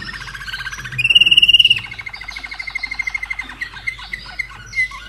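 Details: Slavujar canary hatched in 2011, kept in Austria: a ringing fast trill at a high pitch, then a lower, steady series of rapidly repeated notes, ending in scattered chirps.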